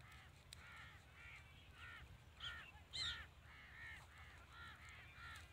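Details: A flock of rosy starlings gives harsh, grating chatter during the 2021 hunting season, with overlapping calls about twice a second and one louder squawk, over a low rumble of wind.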